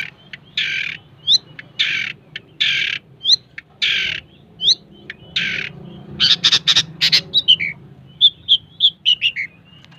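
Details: Long-tailed shrike singing vigorously: harsh, buzzy bursts repeated about every half second, broken by short thin whistles, then a flurry of sharp clicks and high chirping notes toward the end.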